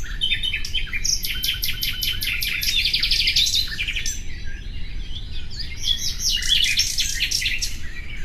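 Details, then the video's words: Common nightingale song: rapid, pulsed trills and repeated sharp notes in quick bursts, rich and varied, with a steady low rumble of background noise underneath. "Bülbül sesi"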